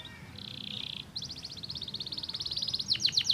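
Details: Canary song played to stimulate other canaries: a steady high buzzy trill, then a fast rattling run of rapid notes, ending in a few sharp downward sweeps, over a noisy background hiss.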